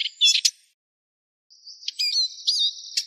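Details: Eurasian siskin twittering, with short chirps at the start, then a pause, then a long, thin, buzzy wheezing note and quick looping twitters on top.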